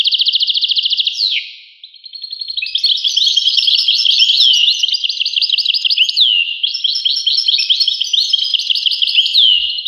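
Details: European goldfinch singing: a fast high trill opens, dips and briefly fades near one and a half seconds, then gives way to continuous liquid twittering and tinkling notes for the rest.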